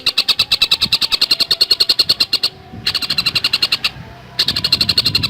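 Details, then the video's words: Javan cuckooshrike in a fast, dense 'gacor speed rapat' song: sharp, high notes repeated about four to five times a second in steady bursts, broken by two short pauses. "Masteran Burung Tengkek Buto Gacor Speed Rapat"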